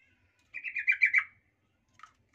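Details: Yellow-vented bulbul lure song, meant to make rival bulbuls angry quickly: one short bubbly chattering phrase of about six rapid notes, followed by a faint brief note, in an otherwise quiet setting.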